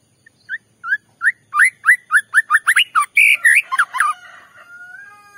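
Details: White-rumped shama song used to provoke another shama: evenly spaced rising whistles quicken into a rapid series of clear notes and rich warbled phrases, fading into a faint whistle and low background noise.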